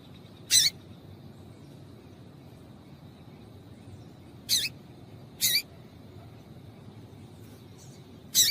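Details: Calling female yellow-bellied seedeater, whose notes serve to stimulate males: four abrupt, buzzy chips at irregular intervals, with long silences between them and a faint high steady hum beneath.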